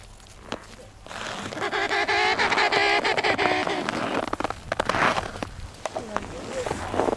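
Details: Emperor penguin on sea ice between Cape Evans and Cape Royds, its harmonic trumpeting call rising for about three seconds, with people's voices and handling noise around it.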